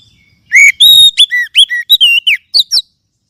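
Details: Oriental magpie-robin lure song for adult and juvenile kept birds: one continuous phrase of about two seconds, made of loud, ringing whistles with sharp upward and downward slurs, crisp and clean.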